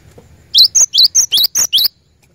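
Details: Caged lure bird, a cinereous tit, sings seven clear high notes in under two seconds, alternating upward-sweeping chips and steady piping whistles in an even, rapid beat.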